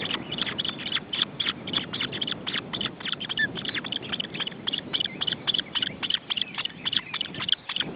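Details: Osprey chicks at the nest being fed, June 2012, Estonia: rapid train of short, sharp chirping notes, roughly three to four per second, steady and insistent, over a background hiss.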